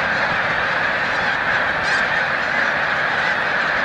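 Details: Short burst from a large snow goose flock at Montezuma, New York, 7 March 2022, as migrating birds take wing: thick, constant overlapping honking with one brief sharper squeal near the middle.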